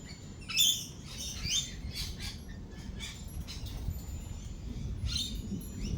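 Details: Lorikeets at a feeding spot during rolling thunder and lightning, giving brief shrill screeching chirps in scattered bursts over a steady low rumble of thunder and rain-like patter.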